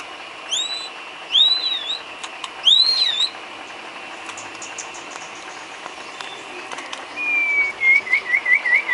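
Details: White-rumped shama filler song for training cage birds, three clear looping whistled phrases, a pause, then a long descending whistle breaking into a quick repeated trill.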